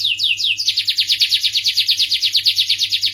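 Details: Starblue canary singing a quick run of slurred notes followed by a very regular trill of bright, downward-sloping notes repeated about three times per second; faint low hum in the background.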